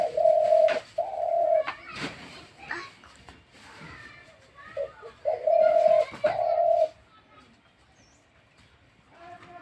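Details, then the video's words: Captive spotted dove cooing indoors: a short low note, then two long, steady, mellow coos, repeated once after a pause. Voices and knocking sounds in the room come between the phrases. "তিলা ঘুঘুর মধুর ডাক"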